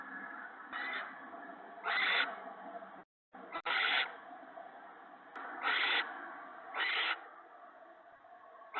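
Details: Owl at a nest at night on March 19, bringing mouse and rabbit prey to its mate and owlets: harsh, hissing screech bursts repeat irregularly about once a second, over a steady hum with a brief dropout.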